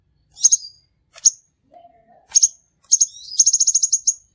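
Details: Crimson sunbird trapping lure: sharp high chips, then a faint lower note and a fast rattling run of repeated high ticks at the end.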